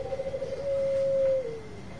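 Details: Zebra dove of the Bangkok type giving a long call used to provoke other birds into singing: a brief wavering lead-in, then one steady, drawn-out coo held about a second before fading.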